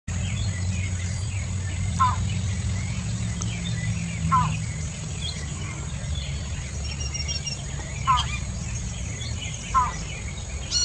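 Broad-billed Motmot giving brief, hoarse nasal notes spaced two to four seconds apart, over a steady high insect whine, faint chirps and a low rumbling background.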